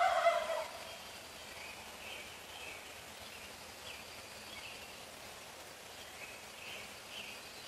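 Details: Male wild turkey near homes at 4:45 in the morning: the tail of a harsh, gurgling gobble at the start, followed by faint, scattered chirps of small birds in the dawn stillness.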